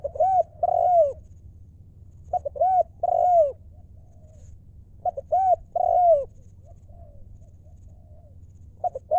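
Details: Decoy spotted dove calling to draw in wild doves, repeating a mellow phrase about every two and a half seconds: quick short hoots followed by a longer arched coo, over a quiet low background hum.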